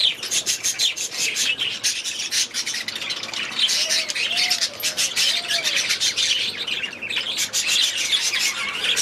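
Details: Aviary budgerigars keep up a continuous chattering warble of high, rasping chirps and squeaks; a few soft, low, rounded coo-like notes sound faintly underneath midway through.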